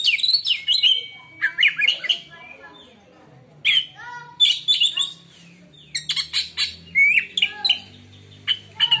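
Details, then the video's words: Kept white-rumped shama with a song reputed to silence rival shamas: rapid mixed chirps, slurred whistles and scratchy notes in bursts, with quieter gaps and a faint low background hum. "kacer lain di jamin langsung diam bila denger suara kacer ini"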